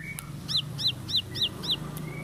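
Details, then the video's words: Bar-winged prinia: five sharp, high, downslurred chips evenly spaced about a third of a second apart, over a low steady hum. "Tembakan Roll Spead Ciblek Lagu Full Kolibri // Ciblek Sawah/Ciblek Pari"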